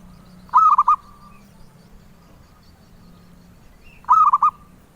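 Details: Prized by collectors for its melodious voice, a zebra dove gives two rolling coo phrases of several joined notes, about three and a half seconds apart, against a quiet background.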